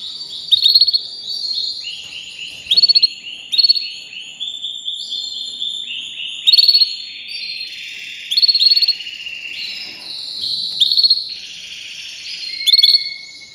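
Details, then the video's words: Continuous canary song: a rolling warble of varied notes broken by loud rattling trills about every two seconds, with sliding whistles running between them. "Making Your Canary Sing with Joy"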